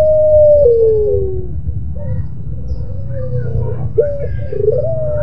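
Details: Puter pelung dove, a pelung-style bird in a moaning call: a long, level, mid-pitched tone that slides downward, then softer wavering notes and short hooked coos, all over a steady low hum.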